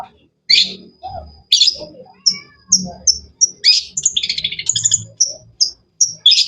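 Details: Cendet, the long-tailed shrike, delivers separated sharp high chirps and clipped whistles, with a fast stuttering rattle in the middle; soft low rumbling noise underneath.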